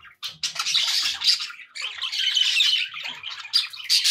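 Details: Pet budgerigars, said to be happy, chatter in a near-continuous stream of harsh, buzzy squawks and twittering notes.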